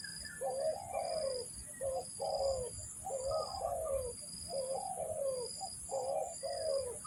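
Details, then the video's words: Luring call of a spotted dove for trapping: hollow, low coos in short-long pairs, the longer note sagging in pitch, repeating steadily over a continuous high, hissing background tone. "mikat burung tekukur, mikat burung derkuku."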